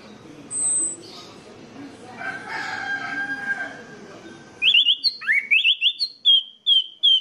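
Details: Orange-headed thrush song played as a lure to get other orange-headed thrushes singing. After a muffled stretch with a rooster-like crow and background noise, sharp high whistled notes burst in, a run of quick slurred and rising phrases.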